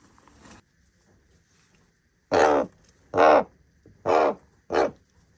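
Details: Common raven calling: a faint croak at the start, a pause, then four loud, gravelly, drawn-out croaks in quick succession under a second apart, deep and rasping. Quiet background otherwise.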